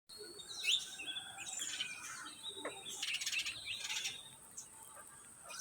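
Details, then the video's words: Green ringneck parrots (rose-ringed parakeets) giving harsh, scratchy screeches in short bursts, loudest near the middle of the recording, over a steady high-pitched background hum and other small chirps. "Green Ringneck Parrots"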